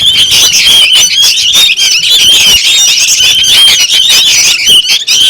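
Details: A crowd of young sooty-headed bulbuls, a lure sound for attracting birds, keeps up constant shrill squealing and chattering, with clear whistled slurs standing out in the middle of the din.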